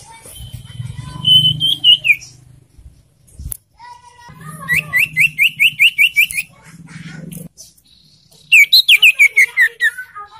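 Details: Young scarlet-headed flowerpecker (sirtu), kept for song and used to prompt caged birds to sing. High, thin notes in quick repeated runs of about eight, plus a sliding whistle, with a low hum beneath.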